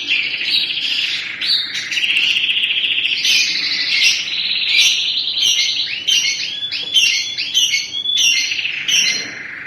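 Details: A crested 3-in-1 canary delivers continuous high rolling trills and buzzy passages, breaking into fast series of downslurred notes and sharp ticks toward the end.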